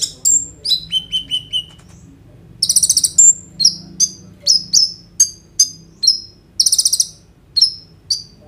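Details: Sunbird known as kolibri ninja, full 'roll tembak' song meant to make konin birds sing, phone recording: opening run of four falling whistles, then high buzzy rattles and a long series of sharp, evenly spaced chips and short slurred notes.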